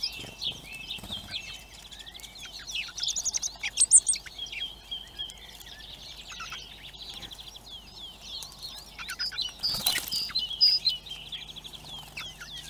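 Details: Hungry common blackbird chicks begging at a feeder camera in Recke, Germany: thin high squeaky calls in busy overlapping bursts, with a sharp broadband knock near the tenth second and faint background noise.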